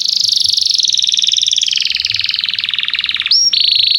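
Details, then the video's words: Canary song used as a lure to stimulate young canaries to learn to sing: long fast rattling trills sliding gradually downward, then a sharp upward whistle and a steady buzzy trill. "Kenari gAcorr cuit cuit emosi, Pancingan untuk kenari Paud belajar bunyi"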